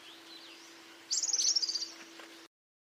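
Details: European Serin song, its typical, diagnostic twitter: a short, rapid burst of high, jingling notes lasting under a second, set against a faint steady low hum with no other birds clearly heard.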